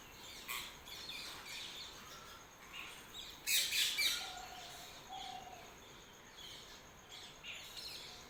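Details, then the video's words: Early morning birdsong with several birds: scattered thin high chirps, a brief loud twittering burst, and two soft sustained low whistles, all over a constant hiss. "Early morning # Birds # chirping"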